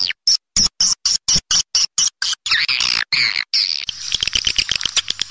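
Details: Swiftlet lure call played to attract swiftlets: rapid chattering clicks and buzzy chirps, sharply pulsed near the start, then a denser twittering rush of overlapping calls with a low electronic hum underneath.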